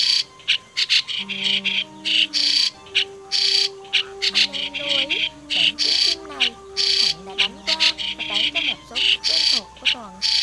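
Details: Migratory white-cheeked starling in a lure recording used for trapping birds: harsh, buzzy chattering bursts repeated in quick irregular runs with short gaps, over steady low tonal hum and sliding lower notes.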